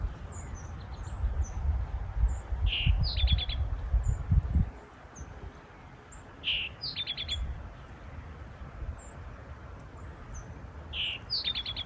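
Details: Eastern towhee, the male singing to hold a nesting territory in woodland: three songs about four seconds apart, each a sharp falling note then a short rapid trill, with faint high chips and low rumbling early on.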